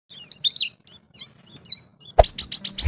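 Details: A champion white-eye (pleci) sings in the ngalas bongkar isian style: rapid high sweeping whistled notes in short bursts. Loud knocking thuds join the phrases near the end, over a faint low hum.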